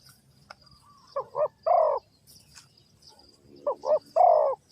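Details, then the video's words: Two cooing phrases from a spotted dove at a bird trap, Ninh Thuận. Each is a quick double note followed by a fuller, longer coo, with a quiet gap between phrases and faint clicks and chirps around them. "The Sound Of A Spotted Dove is very good,Cu gáy Ninh Thuận"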